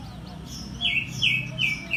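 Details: Oriental white-eye giving three clear, high notes. Each note slurs downward and comes roughly every third of a second over a steady low hum.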